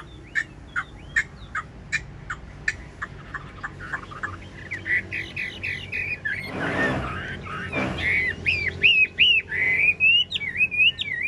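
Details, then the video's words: Chinese hwamei kept as a cage bird, singing in the ngũ trường style with a nodding dance: crisp staccato chips open the clip, a burst of noise breaks in, then fluid whistled phrases return. "Họa mi ngũ trường bộ to hót gật gù múa lân"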